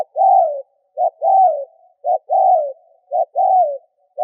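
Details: Spotted dove used as a lure bird, cooing to provoke wild doves: low hollow phrases, each a short clipped note followed by a longer falling coo, repeated about once a second, four times, with no other sounds.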